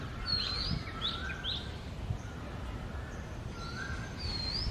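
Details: Oriental magpie-robin, male and female, singing in the early morning of the summer breeding season: sparse high whistled slurs and a few long, steady lower whistles, over a constant low rumble of background noise.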